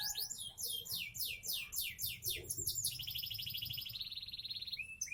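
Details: Seven-month-old Sonji SF canary in a cage, Indonesia: a run of about a dozen falling whistled notes, followed by a dry buzzing trill and a brief rising whistle.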